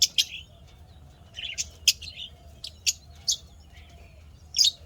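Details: Happy pet lovebirds, 12 May 2025, keep up steady shrill chirping: single piercing notes and brief squeaky twitters every half second or so, some softer and lower, with faint quieter chirps between.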